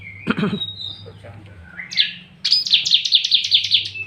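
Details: Uncaged Bar-winged prinia, singing vigorously: after a few scattered chirps and a short rising note, a rapid series of about nine sharp, high repeated notes evenly spaced; a faint low hum runs throughout.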